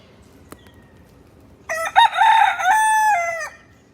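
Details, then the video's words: Rooster crowing loudly: a single harsh, multi-part cock-a-doodle-doo lasting nearly two seconds, opening with a rough burst and ending in a long sustained, slightly falling note, after a faint tap in the quiet background. "Rooster makes noise"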